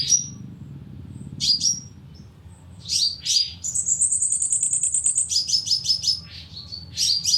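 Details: Sunbird lure sounds for a loudspeaker bird trap: scattered high chirps and downslurred notes, a fast buzzy high trill, then a run of repeated sharp chirps.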